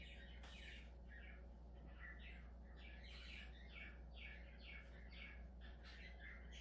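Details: Chattering budgerigar: a run of short, rasping chirps repeated about once a second, steady and fairly even, with a constant low electrical hum underneath.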